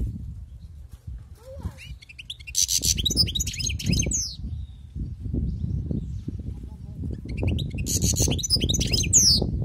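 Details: Wild-caught European goldfinch in song: a quick rambling twitter of chirps and trills, a pause filled with low background rumble, then another lively high-pitched burst closing with a sweeping note.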